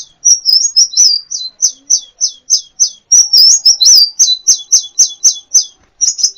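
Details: Loud, high sunbird twittering from a kolibri ninja tutor recording for training birds: a steady string of quick, sharp downslurred chirps, roughly three or four a second, with no other sounds.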